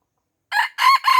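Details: Red junglefowl from Aceh, surrounded by young birds and refusing to fight, crowing; clip cut short, with a rough opening note, then two strong harsh syllables with a steady tone, against silence.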